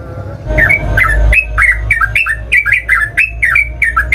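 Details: Yellow-vented bulbul lure song to prompt other bulbuls into singing: steady run of bubbly, warbling chirps, roughly three per second, after a brief rustle, with a low hum beneath.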